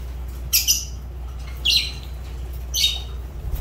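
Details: Three loud, harsh shrieking squawks from a Fischer's lovebird, each a brief grating burst about a second apart, over a steady low hum.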